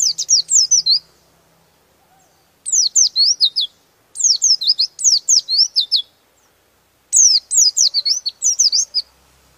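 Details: An oriental white-eye sings with open beak in a rolling style that stirs up rival birds: four tight bursts of sharp, high, falling twitters, each about a second long, with clean silence between.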